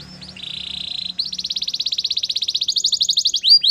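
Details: Canary singing a steady rolling trill that shifts to a louder, slightly higher trill of rapid repeated notes, ending with sharp whistled sweeps.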